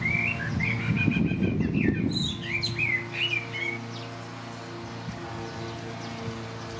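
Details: Male common blackbird singing from a neighbour's roof in Lower Hutt, New Zealand, on a breezy late spring day; rich fluting warbled phrases around the first half, with a lawnmower droning underneath and a loud burst of low noise early on.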